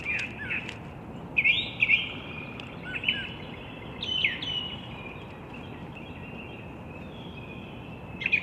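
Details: Wild mated pair of bald eagles at their nest at the National Arboretum, Washington D.C., 15 April 2022 at 07:27, picked up by a nest camera; sparse high chirps and squeaky chittering notes in short bursts over steady outdoor noise.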